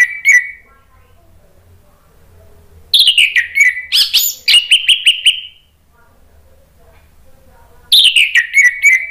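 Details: Orange-headed thrush lure song for a bird that has gone quiet: bright rich phrases of falling slurred whistles and quick repeated notes, delivered in bursts every few seconds with silent gaps between.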